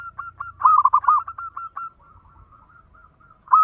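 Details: Local zebra dove (perkutut lokal) singing in the fast 'ngayer engkel' style, used as a lure to stimulate other birds to sing: a quick run of short, rolling cooed notes, fading into softer coos before a loud closing phrase.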